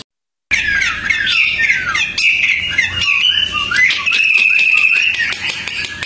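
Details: A tame Hwamei kept outdoors sings after a brief silence, a dense energetic burst of mixed warbles and chattering notes that settles into a long, steady, ringing whistle.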